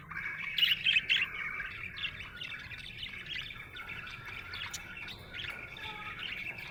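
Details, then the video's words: Happy budgerigar opening with loud sharp chirps, then a fast, continuous buzzy warble with squeaky tweets rising and falling throughout. "Happy budgie chirping sound"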